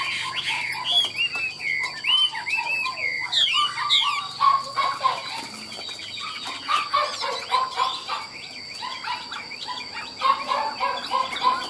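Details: Chinese hwamei in a cage, offered for sale, delivers a long, busy stream of varied chirps, whistles and short warbles, shifting pitch constantly, with some rustling in the background.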